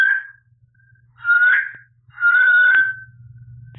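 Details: Talking pet parrot, indoors, practising a newly learned dog howl: two long, wavering whistled wails, the second steadier and drawn out, separated by a short soft whistle, over a low steady hum.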